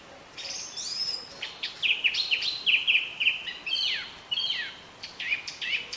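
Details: Song thrush (Turdus philomelos) song with short whistled figures repeated in quick succession, mixed with scratchy notes and sharp downward slurs, over a constant high-pitched hiss.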